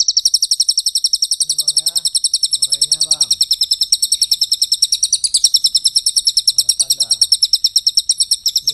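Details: Javan white-eye singing a long, dense rapid-fire song of piercing, rapidly repeated high notes running continuously, briefly shifting pitch halfway through, with soft male speech audible underneath.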